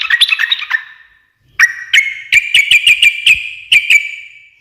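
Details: Sooty-headed bulbul in lively, energetic song said to make other birds answer at once: a burst of bubbly chirps, a pause, then sharp repeated notes with a steady ringing tone running beneath them.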